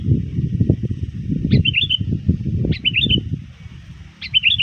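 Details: Sooty-headed bulbul used as a lure, calling rivals just before dusk: three quick rolling, warbled phrases spaced over a second apart, set against loud low-pitched rumbling background noise.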